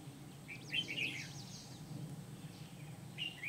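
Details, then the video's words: Red-whiskered bulbul serving as a decoy for catching wild bulbuls in Kim Bôi on 8 September 2019: a bright, chattering whistled phrase, then a shorter one at the end, over hiss and low rumble. "Bẫy chào mào Bổi Kim Bôi"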